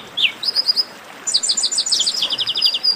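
A chestnut-capped blackbird sings a downslurred high note, then bursts of rapid, thin chipping notes, several per second, against quiet background hiss.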